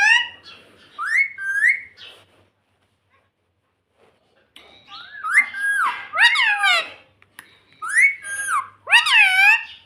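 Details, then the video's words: A pet ring-necked parrot in a room says "mummy" in bright, rising-falling nasal syllables, pausing silent for about two seconds before a burst of rapid chattering phrases. "Parrot Talking Mummy Mummy || Bolne Wala Tota"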